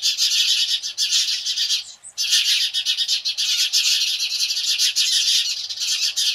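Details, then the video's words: Loud alarm chorus of house sparrows responding to a Cooper's hawk, rapid scratchy chirping from many birds, a brief quiet gap early on, then sustained shrill chatter. "House Sparrows Reaction to Cooper's Hawk"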